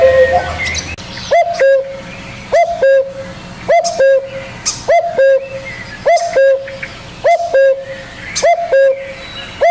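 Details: Spotted dove giving a loud two-note coo, a short rising note then a steady held note, repeated about every second; faint chirps of other birds behind.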